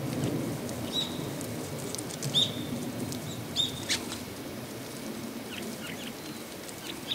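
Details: Asian rosy finch at close range in winter, a few metres off, recorded with a Nikon D7500 and Tamron 18-400 mm zoom: three brief thin high chirps about every second and a half, with light rustling and tapping around them.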